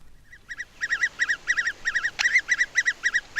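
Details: Adult great spotted woodpecker calling in June in an English broadleaved wood as it tries to feed its young: fast, nasal, mid-pitched notes chattering in quick pairs and triplets, about three or four a second, with one sharp click.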